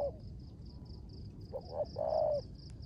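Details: Spotted dove kept by its owner as a decoy, cooing in the rugged 'rước gù' style in the rain: after a quiet start, two short low notes lead into one drawn-out, slightly falling coo, with a pulsing high chirr behind.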